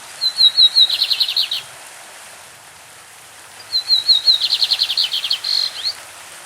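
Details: Classic-style song of a lined seedeater, Brazilian songbird, beside a stream: a few thin high whistles lead into a rapid rattling trill, given twice with a short pause between, soft running water throughout.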